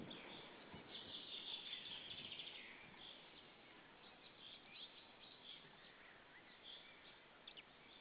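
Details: White-tailed eagles, a pair at their Saunja nest in Estonia, evening of 26 April 2013, calling out toward a third eagle. A fast burst of high, piercing yelps opens, followed by looser, spaced calls over steady background hiss.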